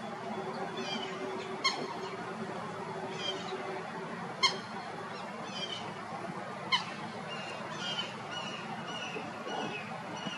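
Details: Common Gallinule in Florida gives harsh, nasal squawks and sharp, abrupt clucks every couple of seconds, over a steady wash of marsh background noise.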